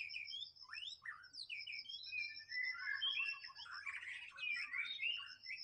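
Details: Wild white-rumped shama giving fast, varied whistled phrases, some sweeping upward, then a dense jumble of bright warbled notes, with a constant high thin tone and a faint low hum beneath.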